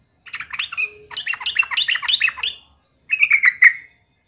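Yellow-vented Bulbul singing bubbly, chattering phrases of quick rising and falling notes, then a brief pause and a shorter, sharper burst ending on a bright note.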